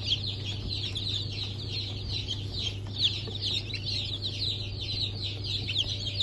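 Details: Freshly hatched chicks of Sultan, Türken, Australorp and Sussex breeds on 23 March 2024. Many chicks peep at once in high, sharp, downward-sliding notes that form a constant chatter, with a steady low hum beneath.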